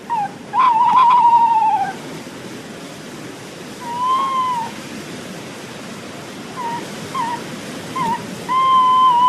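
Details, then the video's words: A very close pair of tawny owls duet on a wild, stormy late-autumn night in Southwick near Oundle, UK, in 2008: a long wavering hoot and sharp, screechy kewick calls over steady roaring wind. "I heard these tawny owls duetting on a wild, stormy night in Southwick. They're very close, and you can hear a more screeching quality to their calls."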